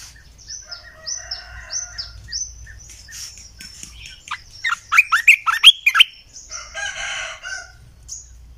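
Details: {'caption': 'Another bird repeats short falling high notes before and after, while a red-eyed bulbul decoy sound delivers a loud, fast bubbling phrase of many slurred notes in the middle.'}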